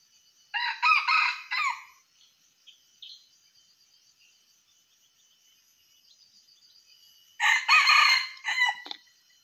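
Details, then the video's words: Crowing of a junglefowl used as a trapping lure: a strident broken crow of three or four rough syllables, then a long pause and a second matching crow, over faint background buzzing. "Ayam hutan,pikat ayam hutan"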